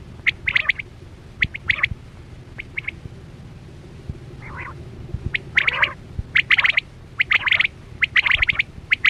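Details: Quail hunting lure: clusters of rapid bright whistled notes, a short raspy chatter near the middle, then denser runs of triple notes toward the end, over a low hum.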